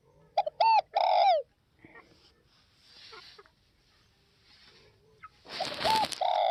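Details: Spotted dove, Tây Bắc (Northwest) type: a crisp stuttered coo ending in a long falling note, then quiet. A second coo closes the recording, overlaid by a burst of loud rustling noise.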